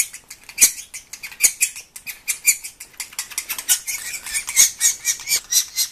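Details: Young sapsucker demanding food with rapid, raspy high-pitched squeaks and squawks, irregular and overlapping bursts throughout, interspersed with a few sharp clicks.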